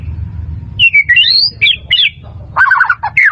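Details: Caged-bird training song of a white-rumped shama: a fast, varied run of rising and falling whistles, then harsher, buzzy chattering notes near the end, loud and clean above a faint low hum.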